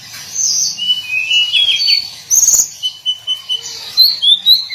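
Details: Hill blue flycatcher singing its daily song: thin whistled notes that slide and waver, followed by a rapid series of short high chirps and a few rising whistles at the end.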